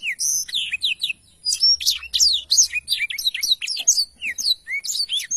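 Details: Black-throated canary singing briskly, a tutor recording for training songbirds: an almost continuous stream of high, sharp chirps, rising and falling whistles and rapid twitters.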